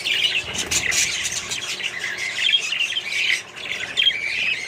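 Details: Within a colony of budgerigars and other birds, warbled chirps and squeaky whistles run continuously, some clear rising notes standing out over the crowd.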